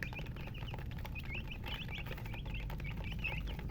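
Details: Colour chickens (murgi) chirping: scattered sharp peeps, several rising then dropping, repeated every fraction of a second over heavy low-pitched noise.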